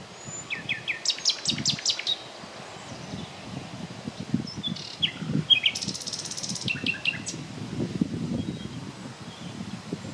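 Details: A common nightingale sings in the morning of 30 April 2020 near Klein-Auheim and Hainburg am Main, Germany: short varied phrases, quick repeated high notes, a harsh buzzing rattle and clipped whistles, over low rustling.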